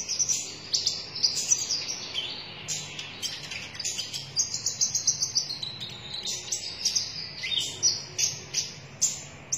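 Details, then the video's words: Konin dada merah, a sunbird, delivering a long, vigorous song of dense high chirps and sharp ticking notes that quicken toward the end, with little else audible. "KONIN DADA MERAH GACOR"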